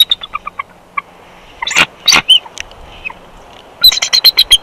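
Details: Bald eagle pair switching places at the nest in Big Bear Valley, 1 March 2021, while incubating a second clutch. High, thin staccato chirps, then loud broadband rustling bursts, then a fast run of piping, chittering notes.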